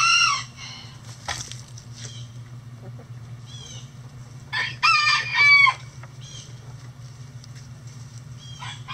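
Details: Backyard hens doing everyday chicken things: a loud squawk opens, soft clucks and short rising notes follow, then a louder cluster of ringing, harmonic squawks. A steady low hum runs underneath.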